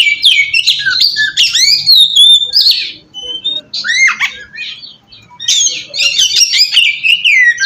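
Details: Oriental magpie-robin song used as a lure to draw other magpie-robins into answering; loud, varied bursts of sliding whistles and harsh squawky notes in rapid phrases, a brief lull midway, then another dense, energetic burst.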